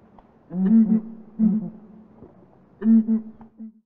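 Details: Southern red-billed hornbill calling and displaying in Kruger National Park, giving low, hollow clucking piping notes in short grouped bursts, three main bursts about a second apart, with a few softer clucks between.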